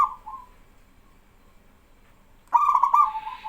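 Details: Local male zebra dove singing vigorously to prompt other doves to answer: a soft brief coo, a pause, then a loud rolling, stuttered coo with several rapid pulses.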